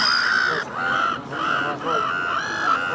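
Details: Black-headed gull pair in courtship, holding wings out and bowing to each other, give harsh, drawn-out nasal moaning calls almost back to back, about four in three seconds.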